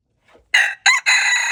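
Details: Wild red junglefowl rooster crowing, February 26, 2025: a faint lead-in, then three loud raspy bursts with the last held long and cut off.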